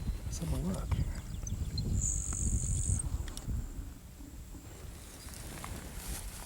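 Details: Florida grasshopper sparrow, one of two singing on their nesting grounds at Kissimmee Prairie, Florida's largest dry prairie: a thin, high, insect-like buzz of about a second with faint ticks before, men talking over it.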